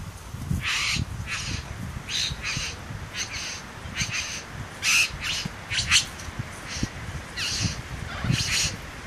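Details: A satin bowerbird in the Southern Highlands courts his female with dance and imitations of other birds: a string of harsh, scratchy, churring bursts repeated irregularly over about nine seconds.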